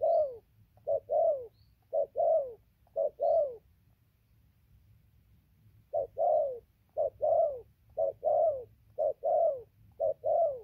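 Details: Spotted dove cooing, recorded 15 November 2020: soft paired coos, a brief note followed by a longer descending one, repeated about once per second, broken by a two-second pause midway, with a low hum behind.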